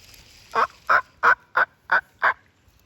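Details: Wild turkey gobbling near a small creek in spring, heard from a log jam upstream: a quick run of six throaty, rattling notes, about three per second, over faint background hiss.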